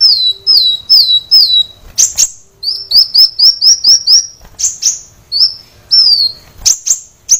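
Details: Brown-throated sunbird (kolibri wulung) singing energetically for caged-bird training: runs of high, piercing, downslurred whistles repeated about twice a second, mixed with sharp metallic chips and brief pauses.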